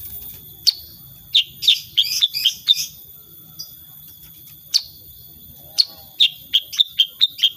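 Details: Sooty-headed bulbul (kutilang sutra) in energetic 'gacor' singing with 'tembakan' bursts, unedited: sharp high chirps, a quick cluster of about seven notes, then scattered single and paired notes, over a steady thin high whine and low rumble.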